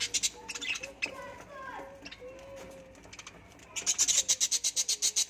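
Budgerigar chattering with tonal warbles, then a fast run of sharp, scratchy chirps.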